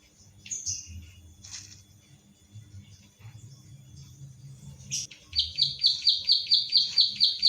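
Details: Captive pied bushchat (ciblek sawah) in Central Java, phone-recorded for training other birds: several seconds of faint scattered chirps, then a quick series of bright high clicking notes about two per second to the end.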